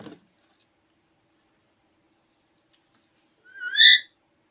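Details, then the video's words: Alexandrine parakeet, a playful talkative pet parrot in front of a mirror: one brief loud whistled call rising then dipping, after near silence with a faint click at the start. "Talking parrot speaking in fornt of Mirror"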